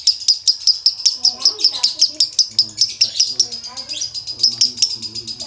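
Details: Male lovebird performing konslet with a dry tone, a relentless rapid burst of shrill high chirps, about two and a half each second, over low background conversation.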